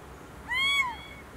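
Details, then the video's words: Little owl (Athene noctua), in farmland near farm huts used as lookouts, Vall d'Aro, Baix Empordà, Girona, gives a single plaintive, mewing call of about half a second, level then sliding slightly down, over a quiet background. "Can Mussol"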